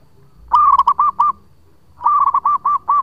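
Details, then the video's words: Local zebra dove in full song, used as a lure: two phrases of soft, rolling coos, each opening with a quick stuttered trill then four or five separate rounded notes, about a second apart. "Perkutut Lokal Gacor Suara Panjang buat Pancingan"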